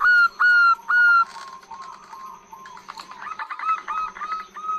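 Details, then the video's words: Female zebra dove giving a long call meant to lure males: three loud, level whistled notes with a slight upward bend, then a softer jumble of shorter notes and faint chirps from other birds. "Perkutut Gacor BETINA Suara PANJANG Untuk PANCINGAN"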